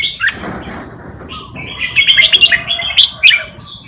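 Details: Tutor red-whiskered bulbul giving its Pa Malutin style song, used to train young birds to copy it. Short slurred notes open, then a lively run of rapid, sharp, chirping whistles, about four per second, over low rumble.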